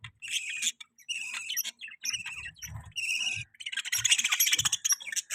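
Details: Caged pet budgie gives bursts of bright, scratchy chirps separated by brief pauses, ending in a dense, rapid chatter of overlapping high twitters; faint low knocks in the background.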